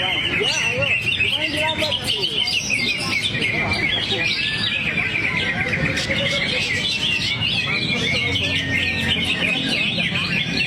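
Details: Greater green leafbird singing, 'buang materi sambil teler': an unbroken stream of sharp high chirps, trills and quick whistles, loud throughout, with murmuring voices and a low hum in the background.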